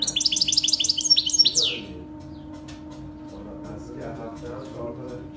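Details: Saira canary full-start training song for baby canaries: a fast, high, bubbling trill of repeated notes that ends in a sharp downward sweep, followed by quiet with faint low background noise.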